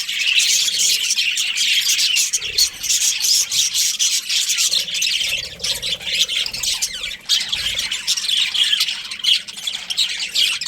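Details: Budgerigar breeding pair chattering: grating, rasping high warble mixed with sharp squawks, a constant busy stream with short quieter gaps and faint low knocks.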